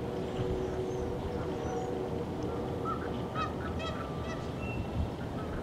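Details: Canada geese, a gaggle of about four dozen flying in and honking as they gather on Little and Big Fishweir Creek, November 23, 2015 at 7:16am; a few short nasal honks cluster midway over a steady low rumble of flowing water.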